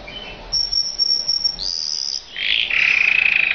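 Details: Mosaic canary singing: a long, thin, steady high whistle that slides upward, then a lower rapid trilled roll repeated quickly and evenly, over faint background hiss.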